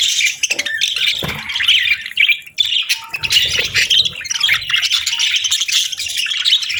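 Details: Several budgerigars chatter on a calm morning, overlapping squawks and rapid twittering forming an unbroken high-pitched warble, with a short dip in the middle before the flock chorus resumes.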